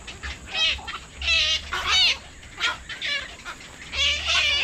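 Black-crowned night herons give harsh, raspy squawks in about six short bursts, roughly one every second, over a faint low rumble.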